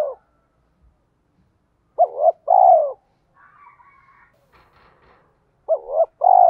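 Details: Spotted dove, 'thổ' voice, challenge call meant to provoke fighting: two bursts of low coos, a quick arched note followed by a drawn-out descending purr, with a soft thin chirping passage and brief rustle in the gap.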